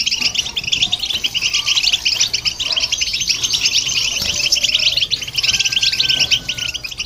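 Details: European goldfinch singing alongside a hybrid, meant to stimulate other birds: dense, fast twittering and tinkling notes run almost without pause, with a faint steady whistled tone late on and a low background hum.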